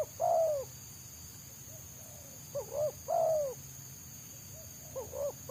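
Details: Free-living spotted dove prized by trappers, with a fast, tightly packed selang nguku song. A long falling coo opens, then a pair of short coos and another drawn-out falling coo follow, over a constant high-pitched whine and low rumble.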